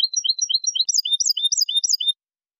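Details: Goldfinch cantada enlazada with two changes, clean song: quick paired high chirps repeat, then change near the middle to louder, sharper, bouncing notes repeated several times before silence.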